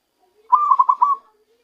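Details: Zebra dove taken by trapping, giving its natural voice: one brief phrase of five quick, mellow coo notes run together, preceded and followed by a faint low note.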